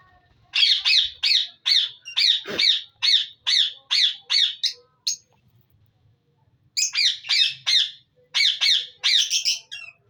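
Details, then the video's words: Budgerigars calling in a breeding colony: a steady series of loud, rasping squawks about twice a second, a silent gap of nearly two seconds, then a further quicker burst of harsh notes. "Budgeis colony breeding || parrot voice natural sound"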